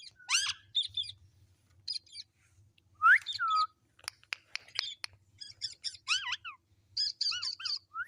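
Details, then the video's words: Pet talking parrot producing sharp, sweeping whistles that dip and rise, mixed with clipped chirps and quick clicks, in uneven bursts over about eight seconds in a quiet room. "Mitthu Mitthu Talking Parrot | Cute Parrot Voice"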